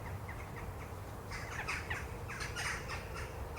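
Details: A flock of Jackdaws roosting at night in trees in a small woodland at a neighbourhood edge give harsh, overlapping caws and squawks in quick bursts, settling-in chatter and warnings, over a steady low rumble.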